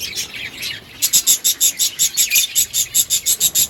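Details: Lovebirds chirping in a breeding colony: a fast, regular series of shrill, sharp chirps, about four per second, after a brief jumble of softer squeaky notes.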